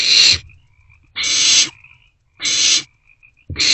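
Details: Barn owlets sharing a meal in an owl box at night on 27 March 2024; three to four harsh hissing screeches around half a second long with soft rustling between them.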